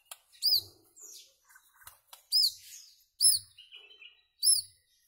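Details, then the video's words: White-rumped shama song played to tutor goldfinches and their hybrids in rare notes: bright, high, arched whistled notes in spaced bursts about every second, with softer twittering phrases between them in a quiet room. "تغريد عصفور الشاما صائد الذباب الهندي"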